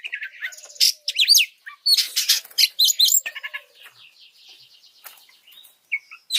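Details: Training song of an oriental magpie-robin, meant to provoke other birds: loud clipped whistles and scratchy chatter for three seconds, then a soft, fast ticking warble and a final pair of sharp notes.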